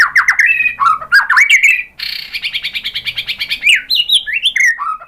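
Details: White-rumped shama lure song to make other birds respond: fast melodious warbling of rising whistles, then a rapid buzzy rattle of evenly repeated notes, ending in more sweeping whistled phrases.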